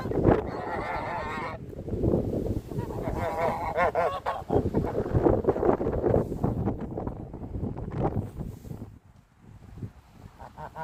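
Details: Domestic geese giving a run of wavering, nasal honks that blur into a chattering series, over a rumbling background, fading toward the end.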